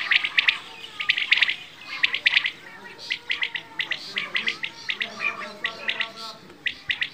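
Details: Quail (bedana, batair) chirping steadily: bright, clipped notes in pairs and triplets, repeated about once a second, with softer overlapping chirps underneath that suggest several birds.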